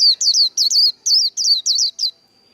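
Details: Competitive singing from a Japanese white-eye: about eight rapid, high, rolling whistled phrases in two seconds, each a quick up-and-down slur, ending in a faint lingering thin tone.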